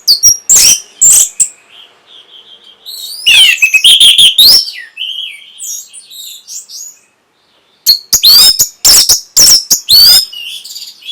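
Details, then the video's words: Orange-headed thrush delivering song to trigger breeding arousal and answering: sharp loud chips, a rising and falling whistled phrase, softer warbles, a brief silence, then more rapid piercing notes. "NYANYIAN BURUNG PUNGLOR PEMBANGKIT BIRAHI"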